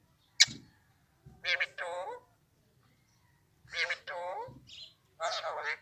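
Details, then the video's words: Talking Alexandrine parrot mimicking Urdu, Hindi or Arabic words. Short groups of nasal, wavering, speech-like syllables are separated by pauses of about a second, and a sharp click comes first. "Amazing super talking raw Alexandrine parrot Urdu / Hindi / Arabic"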